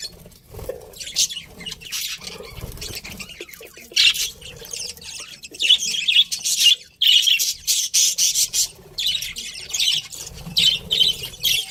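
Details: Caged pet budgerigars kept as a breeding pair give soft, scratchy chatter and clipped high chirps in short repeated bursts, livelier from the fourth second onward, with brief quiet gaps.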